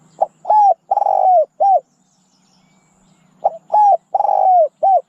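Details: Spotted dove cooing in two phrases: a short note, then hollow coos and a long burry coo, closing with a falling note, repeated after a pause of about a second and a half.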